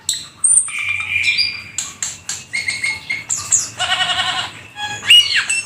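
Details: Song of a Black-winged starling in full varied form, mixing a long steady whistle, rattling buzzy chatter and harsh squawks, ending with a sharp high whistled slur.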